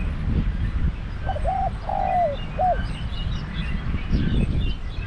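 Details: Spotted dove serving as a trapping decoy delivers one low three-part coo, stuttered start, long descending middle note and brief final note, against rumbling low noise and faint distant chirps.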